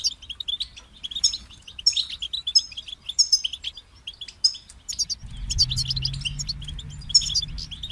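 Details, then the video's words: European goldfinch giving a motivating song: short, high, sparkling twitter phrases at regular intervals, becoming denser near the end as a steady low hum rises underneath. "Highlighting motivating songs for creative goldfinches in simple ways"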